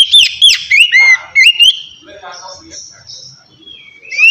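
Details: Oriental magpie-robin in relaxed ngeplong style, used as a lure for lazy birds: a rapid opening of bright swooping whistles, then softer buzzy and scratchy notes fading before one last rising whistle.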